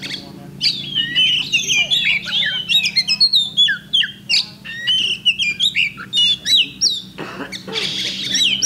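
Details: Oriental magpie-robin in a bird contest, 8 October 2020, running through fast varied phrases of slurred whistles, harsh squawky notes and clicks, nearly nonstop, with a faint low hum underneath.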